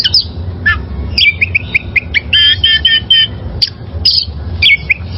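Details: Song of a wild oriental magpie-robin for training caged birds: lively mixed phrases of rapid clipped notes, a buzzy rattling run and scattered ringing whistles.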